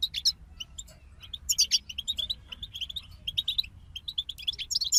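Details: A group of goldfinches gives sharp high chirps and quick twittering runs, fairly quiet, with a low rumbling background throughout.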